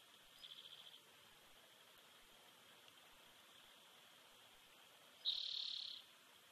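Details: On a Big Bear Valley nest camera on 7 June 2019, a bald eagle eaglet sits alone in the nest. A soft burst of fast chittering peeps comes first, then after a pause one loud, high, drawn-out call.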